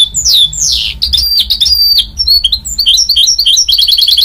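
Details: Hybrid goldfinch mule sings loud, varied phrases: descending whistled slurs, sharp chips, then a rapid series of repeated high twittering notes.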